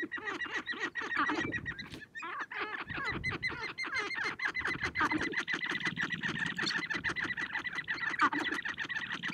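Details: Sharp-tailed grouse gathered on a prairie hilltop in spring, dancing and fighting to attract females; a dense chorus of rapid clucks, cackles and short rising yelps, with steady rattling pulses throughout.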